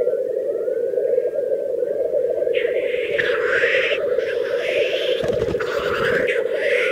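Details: Lekking black grouse in their mating display, Teesdale in the North Pennines, UK. A steady low rolling, bubbling drone underlies everything. Thin whistled notes come early, then loud hissing, rasping bursts follow from about two and a half seconds on.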